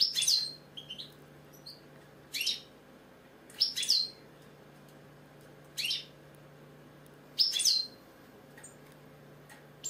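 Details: Captive British European goldfinch repeating short loud phrases of sharp high chirps, each ending in a downslurred note, about every two seconds with quiet between, over a faint low hum.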